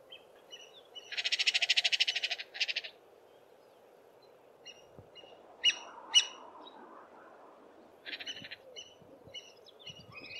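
A crowned hornbill gives a harsh, rapidly pulsed, goat-like bleat as a warning call.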